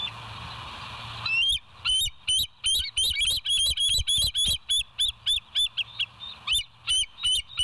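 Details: Bald eagle calling at the West End nest, 07/09/2023, 06:24 on a live cam: from a hum-filled start, a long excited string of high, twittering chirps, fast and uneven, continues to the end.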